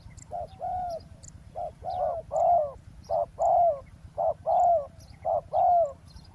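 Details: Decoy spotted dove on the ground by a road, cooing to attract a wild dove. Its deep two-part coos, a quick note then a sustained descending one, repeat steadily about once a second. Faint chirps of small birds are heard.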